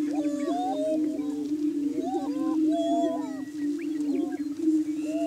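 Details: Morning courtship on a Washington County, Kansas lek where Greater Prairie Chickens boom to establish breeding territory: a sustained low hum with looping, wavering whoops and hooting calls layered over it from several birds.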